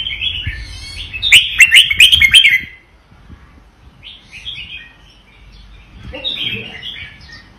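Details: Caged red-whiskered bulbul of Vietnamese stock delivering a doubled-style song: a loud rapid run of sharp chirps and warbles early on, then quieter, scattered whistled phrases separated by pauses.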